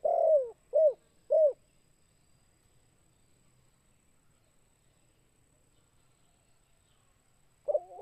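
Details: Spotted dove used as a lure caller, in the lively "kuk 2" style: three short, hollow, low coos in quick succession, a long silence, then a further coo at the end; quiet background.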